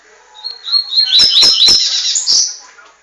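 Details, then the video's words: Double-collared seedeater from São Paulo singing in the tuitui style: a thin high whistled phrase rising into a dense run of sharp buzzy notes and clicks, ending in a bright burst. "Coleiro tuitui"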